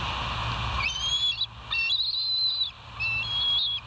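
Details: Bald eagles at the West End nest, seen on a live nature cam, 12 September 2023 at 04:28: three thin, high whistled notes, each drawn out about half a second and slightly wavering, separated by short pauses over a low steady hum.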